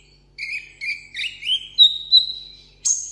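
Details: Caged sunbird in competition-style solo singing: a few short buzzy notes, then a rising whistle settling into a long steady high tone, cut off by a sharp upper chip; quiet background.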